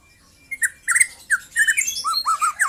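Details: Young white-rumped shama singing a quick run of loud, slurred whistled notes, each dipping and rising, joined by higher scratchy twittering and building into a dense, varied phrase.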